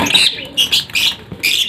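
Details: Captive Indian ringneck parakeets kept as breeding pairs, giving four harsh, high, screechy squawks in quick succession, roughly every 0.4 seconds.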